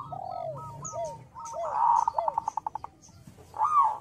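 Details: Local zebra dove, small-voiced and loud, singing to draw answers: soft spaced coos with drooping arched notes, then a swelling note followed by a short, evenly pulsed series, and a final rising-falling coo.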